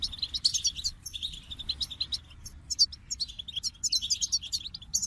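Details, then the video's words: Goldfinch song: bright, tinkling twitters and buzzy trills in short bursts, high and rapid, with brief pauses between phrases. "The Captivating Call of Goldfinches"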